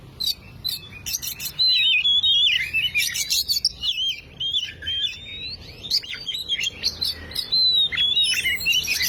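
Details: Oriental magpie-robin song used as a lure to get a silent bird singing: a rich, fast stream of varied whistles, trills and slurred notes, loud and nearly continuous with brief pauses, plus scattered sharp chirps.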